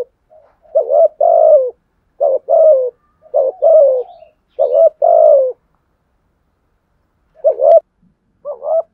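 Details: Decoy spotted dove cooing aggressively to provoke fights; a run of five two-part coos, each a clipped note then a longer descending coo, followed by a pause and two further short coos.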